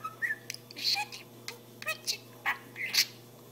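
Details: Pet budgerigar talking indoors, a run of short raspy, chattering syllables with brief whistled notes, bursts spaced unevenly across a few seconds over a steady low electrical hum.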